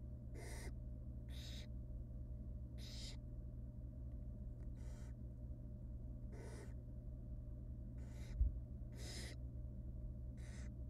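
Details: Wild barn owl nestlings in a monitored nest box while the female feeds them tiny pieces of rabbit: harsh, breathy hissing bursts repeated about every second, over a steady low electrical hum.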